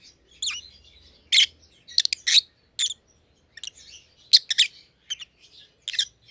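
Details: Caged rosy-faced lovebirds, white-headed pallid opaline and white-headed green opaline siblings, calling with scattered piercing chirps and soft chatter, spaced irregularly, faint low hum beneath.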